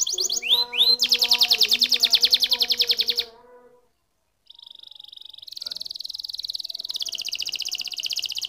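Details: Canary singing a swept note pair and a dense rapid trill that fades into a pause, then resuming with a steady high buzzy tour that slowly drops in pitch.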